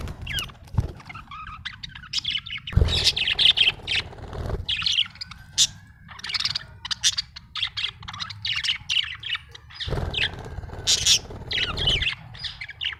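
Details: Happy budgerigar chirping in a steady jumble of short, high, twittering notes, with two stretches of louder broadband rustling noise underneath.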